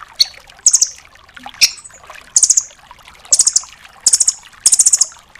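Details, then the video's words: Velvet-fronted nuthatch, the red-billed 'rambatan', recorded to train other cage birds; sharp very high rattled bursts of three to five notes, with scattered faint chips and light watery background noise. "MASTERAN BURUNG RAMBATAN DORAEMON FULL TEMBAKAN"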